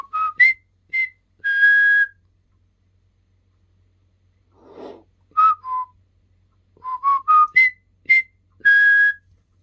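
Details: Practising the River Kwai March, a pet common hill myna gives pure whistled phrases. Short rising notes end in a long sustained tone. A soft breathy noise sits in a mid-clip pause before the melody repeats and climbs to another held note.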